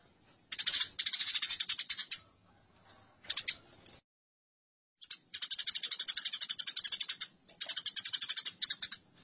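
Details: Fighting house sparrows recorded as masteran, giving long, fast rattling chirp sequences with a two-second silence in the middle before the chattering resumes.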